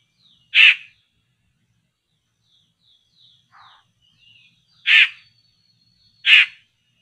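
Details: Poksay (laughingthrush) being lured for trapping gives three loud, grating, noisy bursts spaced irregularly over seven seconds, with soft high whistled notes and a short low chatter between them.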